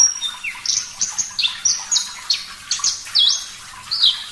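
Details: Parva-type Javan bush lark in active, clear song, a sequence of strong slurred whistles, several dipping then rising, given roughly every quarter second, with brief buzzy elements between.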